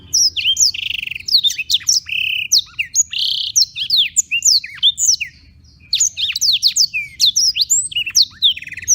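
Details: A Black-throated canary in Beng, Gianyar, Bali sings a fast, continuous stream of high, sweet twitters, slurred whistles and short trills, pausing briefly once before resuming.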